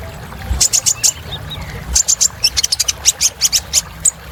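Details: Sunbird, locally called kolibri ninja, in a lively filler song used to stir other birds: rapid clusters of sharp high chips, some rising twitters, with low rumbling background noise.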